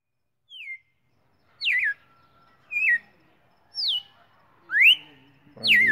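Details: Red-cowled cardinal, recorded 19 September 2019, singing clear whistled notes, about one per second, some falling and some rising or hooked; a faint low murmur at the end.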